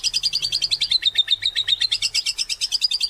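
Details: White-rumped shama singing hard, used as a trigger for other shamas: one continuous fast pulsing trill, high and even, repeated about seven times a second for three seconds.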